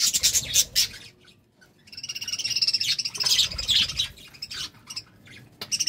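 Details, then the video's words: Courting budgies give bursts of sharp squawks, pause, then a quieter, whistled warble with trilled notes before a final short squawk. "Love time for budgies"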